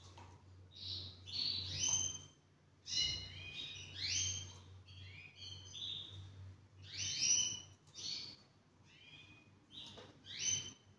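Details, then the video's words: Spanish Timbrado canary, a two-year-old half frill male ready to breed, sings a long run of fast trilled and chirped phrases, bursts rising and falling in loudness with short breaks, over a faint background hum. "beautiful Canary Singing Spanish timbrado"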